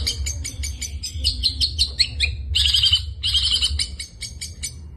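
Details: Rapid, varied high-pitched chatter from a long-tailed shrike in 'gacor full isian' song, with quick clicking notes, descending slurs and a loud harsh burst midway.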